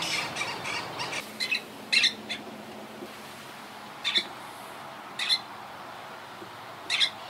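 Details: Quaker (monk) parakeets of a wild colony hit by hurricane Irma in 2017: a quick cluster of rasping chatter, then single harsh squawks spaced one to two seconds apart, with a faint low hum beneath.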